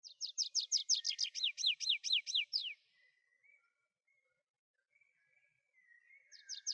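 Tree pipit singing a fast run of bright, repeated notes that slide downward and speed up, then break off; faint quiet chirps follow before the song starts again.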